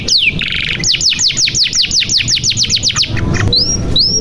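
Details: Canary song used to prompt young or silent canaries to sing; a fast series of about a dozen high descending swept notes, a buzzy rattling segment, then two rising whistles, over steady low background noise.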